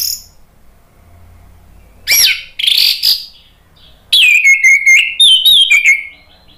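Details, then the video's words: Orange-headed thrush singing to provoke other birds to sing: a couple of harsh rasping notes, then flowing phrases of loud, clear whistles sliding downward, delivered in quick succession. "ANIS MERAH GACOR NGEPLONG memancing EMOSI jadi NYAUT BUNYI"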